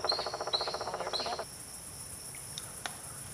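A Pileated Woodpecker gives a fast series of about a dozen loud, hollow wuk notes, then stops short; faint high chips follow in quiet surroundings.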